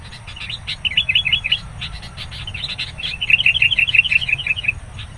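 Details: Sooty-headed bulbul, wild, at a trapping spot, reacting angrily to an approaching rival; two clusters of rapid chattering chirps, the second longer and louder, with faint clicking sounds between them and low background rumble.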